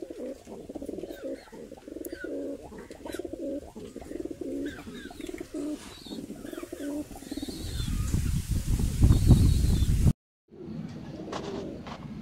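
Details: Mukhi fancy pigeons cooing steadily in low, rolling pulses for several seconds. Deep rumbling noise then swells, a brief silence follows, and faint coos resume.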